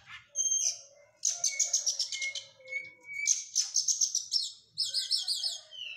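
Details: Oriental magpie-robin exercising after moulting, delivering loud, rich song: buzzy trills, steady mid-pitched whistles, and a final run of rapidly repeated looping notes.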